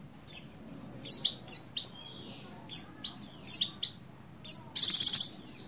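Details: Calling to a male, a female Oriental white-eye (buxtoni) in breeding condition utters irregular high buzzy downslurs about once a second, ending in a rapid rattling trill and a final slurred note; low background hum underneath.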